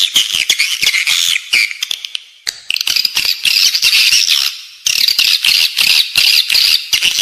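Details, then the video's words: Edible-nest swiftlets calling, a recording for playing inside a swiftlet building: high, buzzy twittering bursts with scattered sharp clicks, in three bursts separated by brief quieter gaps. "เสียงเรียกนกแอ่นกินรัง ((ด้านในตัวตึก))"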